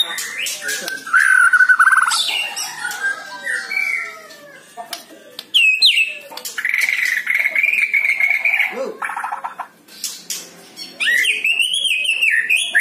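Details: White-rumped shama (murai batu) song used to coax a lazy bird into singing: loud, varied whistled phrases, some sliding and buzzy, mixed with sharp clicks and short noisy bursts, broken by quieter gaps.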